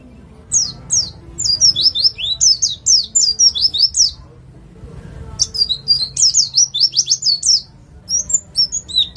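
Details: White-eye from East Java, ngalas nembak style, used to coax other birds into song: fast series of sharp, high falling whistles in three runs broken by brief silences.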